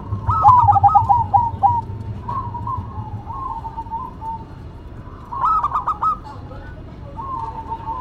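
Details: Zebra dove duet between a local and a cemani bird: a burst of fast trilled coos, then softer sustained cooing phrases, and a second stuttering burst near the end, with faint low hum.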